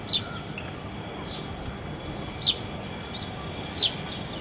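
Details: Early-morning house sparrow, captured with a Sony handycam, giving three bright descending chirps spaced irregularly, with softer distant chirps and a constant low hiss underneath.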